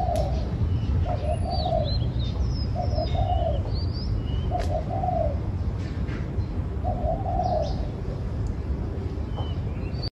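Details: Turtle dove cooing: soft, low hooting coos in short phrases, repeated every one to two seconds, over a steady low rumbling background with faint high chirps from other small birds.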